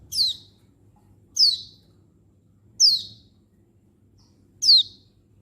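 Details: Female Oriental white-eye calling to males, recorded 19 November 2022: thin, high, downslurred whistled notes, each sliding steeply down and repeated about every 1.5 seconds, with a faint low hum beneath.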